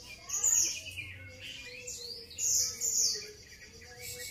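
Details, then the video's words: Grey-cheeked bulbul song: rapid high chirps and sweeping whistled notes in two loud bursts, over a faint low hum. "SERUNYA MAIN BARENG CUCAK JENGGOT"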